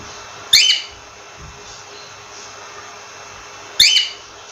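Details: Cockatiel giving two short, sharp, harsh chirps about three seconds apart, each a bright burst with ringing overtones, over a steady faint low hum.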